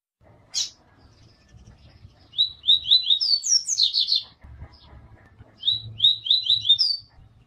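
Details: Tui-tui song of a double-collared seedeater, a style used to train birds. A brief high burst comes first, then a string of fast repeated whistled notes that rise into bright twittering trills. A second phrase of quick slurred whistles ends on a high note.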